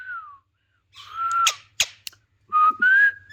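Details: Talking Indian ringneck parakeet giving long, smooth, level whistles that slide slightly up or down, broken by a couple of short clicking knocks.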